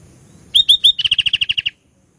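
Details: A lively sooty-headed bulbul phrase opens with three clear down-slurred whistles and runs straight into a rapid, even string of roughly ten clipped notes before falling silent.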